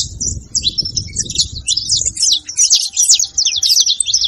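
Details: Saffron finch song meant to heat up a silent bird: quick, sharp chirps in a dense high series, repeated more than twice a second.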